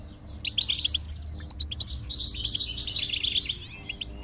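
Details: Goldfinch song played to stimulate a silent goldfinch to sing: rapid, tinkling twitters and bright chirps, densely packed high notes with a few sharper clicks, over a faint low steady hum.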